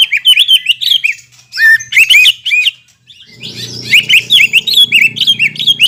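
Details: Greater green leafbird lure song for birds after moulting: lively sequence of slurred, chattering whistles, a short pause, then a dense warbling run over a low hum.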